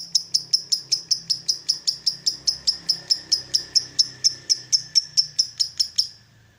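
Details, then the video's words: Lovebird recording played in the morning as a trainer to spur other lovebirds to trill and chatter; clear, even-spaced high chirps repeat about four times a second for six seconds over a faint low hum. "SUARA PEMACU Ini Bikin Love Bird Ngeroll & Ngekek Ganas! (Masteran Pagi Hari"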